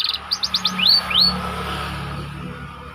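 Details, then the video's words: White canary training song, brief: a few quick rising chirps and two louder upswept whistles, then fading into a low steady background hum. "Burung Kenari Ngerol Rapat 🔻 Cocok Untuk Masteran"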